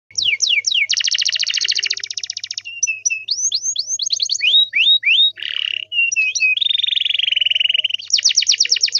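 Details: Canary song played to make other canaries answer: rapid buzzy trills alternate with series of high descending whistled sweeps and rising slurred notes, then a fast rattling trill at the end.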